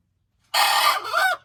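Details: Hen crowing: a single short, harsh, buzzy note that breaks briefly and then carries on with a slight rising bend before stopping abruptly. Silence before and after.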